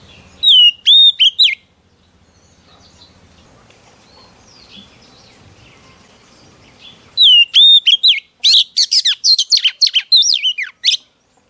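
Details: Song of a female Oriental magpie-robin meant to excite males. Several sweet slurred whistles, a long near-silent gap with faint background hum, then the whistles return, followed by a dense stretch of scratchy, chattering notes.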